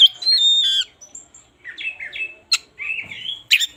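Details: Oriental magpie-robin singing in the morning as a lure for birds that sing little: a long clear whistle that drops at the end, then buzzy phrases and two sharp clicking notes.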